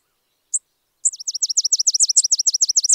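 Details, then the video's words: Spizella sparrow song: two thin high notes, then a fast dry trill of sharp down-slurred chips, about thirteen per second, steady and even to the end, with no other sounds. "Sounds of Spizella, Sounds of the Common Sparrow Bunting"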